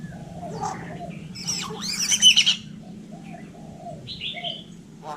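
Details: Hill myna in Vietnam mimicking human speech: a loud burst of harsh, slurred, voice-like squawks in the middle, then softer scattered calls and a short nasal note near the end over low background hum.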